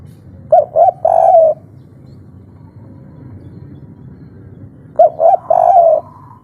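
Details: Spotted dove of the local 'kuk 3' style, an agitated call used as a lure to provoke other doves to answer. Two phrases about four seconds apart, each with short coos and a long rolling coo, over a low background hum.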